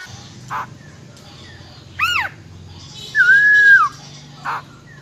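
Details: Female silver-eared laughingthrush, wild-voice song for rousing males. A quick down-slurred note is followed by one long, slightly arched whistle, with faint short notes before and after it.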